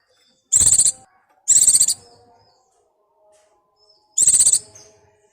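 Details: White-eye in breeding mood calling for its mate, giving three separate bursts of high, rapid, rattling chirps, each under half a second, with faint low whistles in the gaps.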